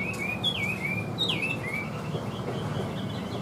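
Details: Chinese hwamei held in a cage, singing with an even voice: a few clear, fluty whistled phrases that dip and rise, then quieter background.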